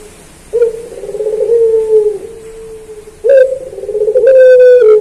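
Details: Puter pelung Barbary dove recorded as training material for cage birds. Two low coos, each starting abruptly with a rolling, vibrating purr that smooths into a level drawn-out tone, the second starting after a short pause.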